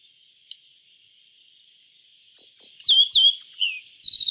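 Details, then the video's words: A yellow bunting starts after a quiet pause with a rapid run of high chirps and descending whistled slurs, ending in a fast buzzy trill. A continuous high hiss sits underneath. "Suara Burung YELLOW BUNTING - YELLOW BUNTING Bird Sound"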